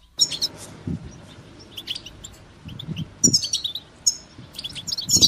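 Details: Caged European goldfinch giving its call, used to motivate another caged goldfinch to sing: bright, high chirping notes in scattered bursts, with low thumps and knocks underneath.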